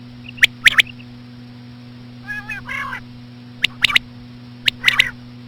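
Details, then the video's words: Common quail calling with slow female sounds to attract quail: sharp clicking triplet notes, a softer nasal buzzing phrase in the middle, then more crisp triplets, with a continuous low hum behind. "BATAIR KI AWAZ SLOW KIRK KI SAT| COMMON QUAIL CALLING WITH SLOW FEMALE QUAIL SOUNDS | FEMALE QUAIL"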